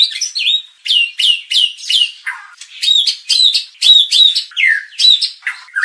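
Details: Shama song meant to provoke and train the fighting spirit of contest birds: loud, repeated downslurred whistled notes, sharp and ringing, in groups of two or three with short gaps, later mixed with lower slurred notes.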